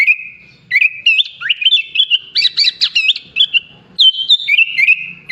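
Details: Sooty-headed bulbul performing mimicry song including bar-winged prinia, greater green leafbird and Asian pied starling phrases; opens with a steady held whistle, then tumbling chirps, a burst of sharp zigzag notes and another long whistle.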